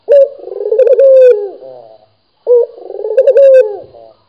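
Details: Pair of purring coos from a lively local Barbary dove, each starting sharply, rippling through a rolling trill and ending on a long even note that slips down, with silence between.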